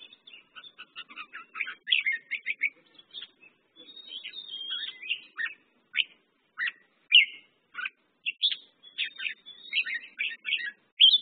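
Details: Red-whiskered bulbul song amid a busy run of quick chirps and warbled notes, many short phrases following closely over eleven seconds, with a faint low murmur in the background.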